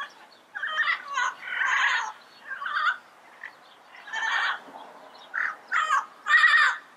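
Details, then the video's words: In the wild, yellow-headed parrots utter a series of raucous, grating squawks of uneven length, some long and rasping, others short and clipped, with brief quiet gaps between. "Yellow-Headed Parrot Sounds - Natural Bird Calls and Songs in the Wild"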